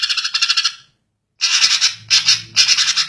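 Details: Greater green leafbird, Chloropsis sonnerati, giving quick rattling high notes in short bursts, a pause of half a second, then three more clustered chattering phrases over a faint low hum.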